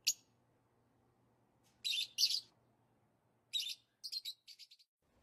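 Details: High, squeaky chirps from a lovebird: a lone note, a pair of harsher buzzy chirps, then a short descending series of quick, thin tweets.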